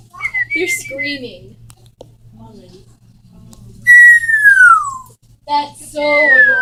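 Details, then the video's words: Parrot whistles broken up by quieter scratchy sounds, including a clear whistle that glides steadily downward and a final falling whistle, over a faint steady hum. "Parrots making crazy noises!"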